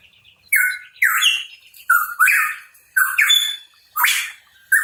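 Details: Hooded pitohui (cucak rawa papua) in full voice: six or seven loud, rasping phrases, each joining a short whistled note to a rising, hoarse slur, delivered in a steady string.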